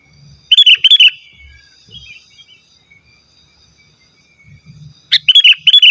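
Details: Sooty-headed bulbul singing vigorously, an unmixed recording used to call rivals and lure wild birds: two bursts of four or five loud, bubbling whistled notes, the first near the start and another about four seconds later, with quiet faint low rustling between.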